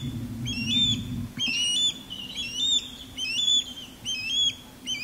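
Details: Courting osprey, male in sky dance above a backyard and female calling from a longleaf pine, recorded with an external microphone and windscreen; clear rising whistled chirps in uneven series, some doubled, low background hum.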